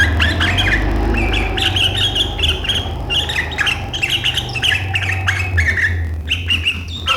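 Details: Sooty-headed bulbul in sharp 'riwikan' chattering style that sets rivals singing, 7 April 2023: continuous harsh squawking chatter in rapid phrases over a strong low rumble and steady mid-pitched hum.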